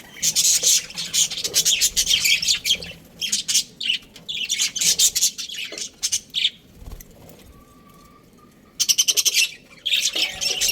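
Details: Chirping from an Australian budgerigar breeding pair: bursts of rapid scratchy chatter and squawks separated by pauses, a near-silent stretch with a faint tone, then a sharp rattling burst.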